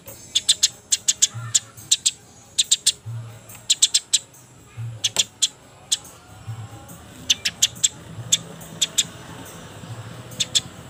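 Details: Shortly before dusk, sparrows fight with scattered clusters of sharp, very high chirps, two to five at a time, over a low hum.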